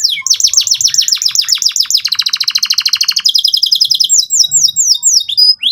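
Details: Canary performing a song for young canaries to learn from: rapid falling chips, a dense buzzy trill, a higher rolling trill, then scattered sharp swooping notes.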